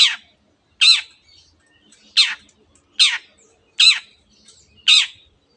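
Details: Long-tailed shrike, noted as a mimic of canary and many other birds, giving six harsh, rasping notes in a row, spaced roughly one second apart, against a quiet background.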